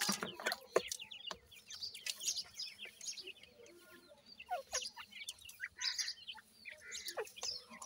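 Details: Captive Dakhni teetar and Desi teetar chicks feeding: a busy chorus of high downslurred peeps, with clicks and clatter throughout.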